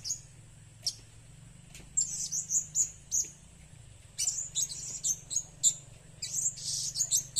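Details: Blue-crowned hanging parrot calls meant as a lure: sharp, very high-pitched tweets in quick uneven runs from two seconds onward, with a denser chirping flurry after four seconds, over a faint constant high whine.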